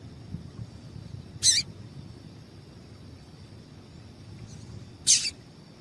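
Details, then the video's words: A female papa-capim seedeater gives two abrupt high chips about three and a half seconds apart, a call meant to excite males, against low background rumble and hiss. "Piado de Fêmea de Papa capim Para Esquentar papa capim"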